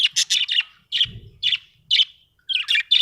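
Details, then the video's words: Budgerigar chirping in short bursts: harsh, scratchy notes clustered around the upper-middle register, some quick doubled chirps, repeated roughly once a second with brief pauses between. "Australian beautiful birds sound 😍 budgie chirping sound 🥰"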